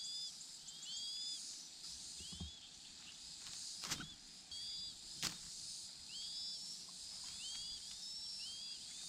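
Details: Chinese hwamei, one of a pair raising four chicks: short, thin, upslurred whistled notes, high-pitched and repeated in loose clusters, over steady background hiss with a few sharp clicks and knocks.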